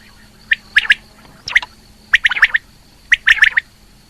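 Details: Female rain quail calling, 2020: clusters of two or three sharp, clipped notes about every second and a half, with a steady faint electrical hum underneath.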